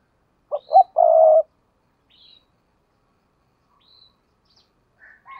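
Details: Decoy spotted dove cooing hard in thúc gù style. One loud low phrase of two short notes and a longer purring coo comes early, followed by near silence with faint distant chirps.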